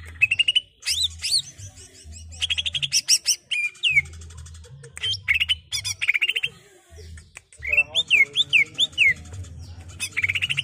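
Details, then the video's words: Greater green leafbird singing its ngerol song, meant for training an untrained captive bird. A busy stream of loud chirps, buzzy bursts and looping whistled rises, repeated rapidly, over a steady low hum. "Suara buring Cucak ijo ngerol"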